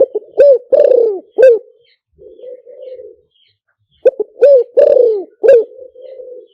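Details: Luring call of a spotted dove, used to lure birds. Two full cooing phrases of clipped introductory notes swell into a drawn-out falling croo. Soft, low murmuring fills the gap between phrases, with nothing else heard.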